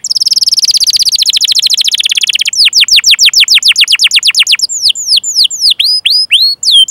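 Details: Long canary song for stimulating young or non-singing canaries, opening with a dense rolling trill, then fast downward-swept chirps, finishing with spaced, hooked whistled notes.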